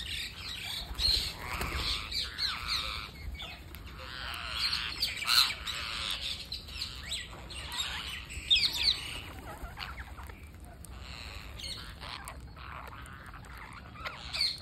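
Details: Parakeet being fed on day 231 of a feeding series, making a stream of scratchy chirps and short squawks at irregular intervals over a low background hum.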